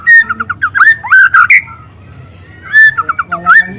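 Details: Young spotted White-rumped shama in the wild giving loud canary-style song: clear slurred whistles and quick stuttered notes in two bursts separated by a short pause.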